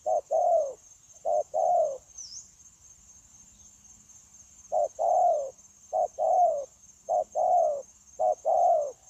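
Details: Decoy spotted dove for trapping, 9 January 2024, cooing in short runs: low paired hoots, brief then drawn-out and falling, separated by a two-second gap, with faint crickets and a steady high hiss behind.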